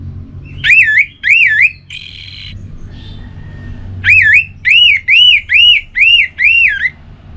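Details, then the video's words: Orange-headed thrush from Singaraja, Bali, a cage bird whose relaxed song is meant to encourage other birds: loud wavering whistled notes repeated about twice a second, with a brief harsher note between groups. "Anis Merah Bunyi Santai Untuk Pemancing Burung Yang Lagi Drop Bahan Ataupun Macet"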